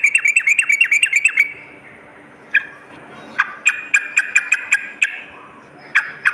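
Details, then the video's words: Sooty-headed bulbul singing at night: a fast run of sharp, chattering notes with bright clicking overtones, then a pause and scattered, spaced bursts of similar harsh notes. "terapi trucukan dimalam hari"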